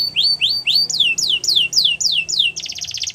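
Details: Canary singing, played to stimulate other canaries to sing: a series of rising-then-falling whistled sweeps repeated about four times a second, ending in a rapid buzzy trill.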